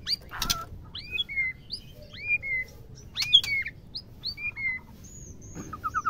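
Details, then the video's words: Female white-rumped shama sound used to stir males into breeding: scattered short whistled upslurs and downslurred notes with brief pauses between, a few sharp clicks and a short trill at the end. "MURAI GACOR MERAYU BETINA || BIKIN GACOR MURAI LAIN || MERANGSANG BETINA AGAR BIRAHI DAN MAU KAWIN"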